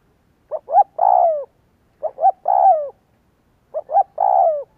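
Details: Three evenly spaced spotted dove phrases used to lure doves into cooing, each two quick soft notes followed by a long, mellow, falling coo, in a clean, quiet recording.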